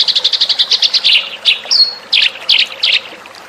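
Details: Lure call of the Eurasian tree sparrow: a fast string of bright chirps, then a brief thin whistle, followed by louder, spaced double chirps about every half second.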